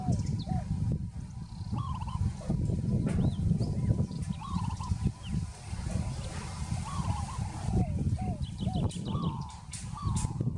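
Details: Rolling, quavering coos from a peaceful dove recur several times amid a background of low rumbling noise and brief high chirps of other birds.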